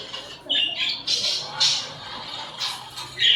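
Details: Pet budgerigars chirping while cuddling and fighting: a quick run of scratchy, buzzy chirps and squawks, one after another, loud and close.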